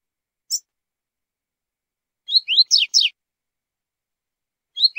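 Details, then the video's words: Double-collared seedeater singing the tui-tui zel-zel song type: a high isolated note, then a cluster of sharp buzzy downslurred notes, another note closing the phrase against a silent background. "CANTO TUI-TUI ZEL-ZEL"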